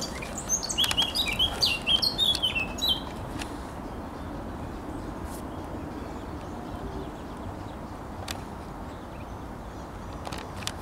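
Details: Eurasian blackcap song recorded 7 June 2023: a lively burst of high, tumbling warbled notes in the first three seconds, followed by quieter ambient hiss with occasional clicks and faint distant chirps.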